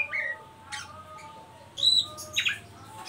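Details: Oriental magpie-robin ngeriwik call, a lure for young birds to sing: a few sparse whistles and buzzy chirps, with a loud burst of squeaky notes near the end.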